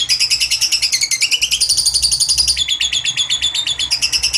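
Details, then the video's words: Lovebird giving a long 'ngekek panjang' trill, used as a lure to stir quiet lovebirds into singing. A rapid, unbroken stream of harsh, high chattering pulses runs the whole time. The pitch steps down slightly partway through. "Terapi MACET TOTAL, BISU dan Males Kicau bakal NYAUT ampuh pancingan LOVEBIRD NGEKEK PANJANG"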